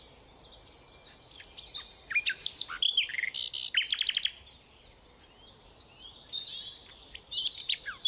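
Rufous nightingale singing fast, varied phrases of high whistles, clicks and rapid rattling trills, with other birds chirping faintly behind.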